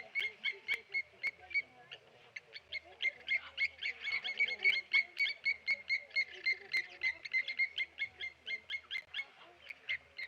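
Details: At the Okaukuejo Resort waterhole, Blacksmith lapwings mob a Tawny eagle, giving a rapid stream of hard, metallic 'tink' notes, around four per second and unevenly spaced, for ten seconds, with a faint low hum beneath.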